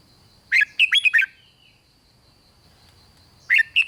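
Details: A red-whiskered bulbul sings to stir up other bulbuls: one lively phrase of five quick whistled, up-slurred and down-slurred notes, a pause, then the next phrase beginning; a thin steady tone hums behind.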